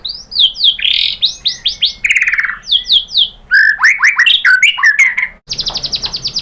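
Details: Lively shama song meant to goad other shamas into answering: loud, fast sweeping whistles and harsh slurred notes in quick succession, ending with a rapid high chattering trill.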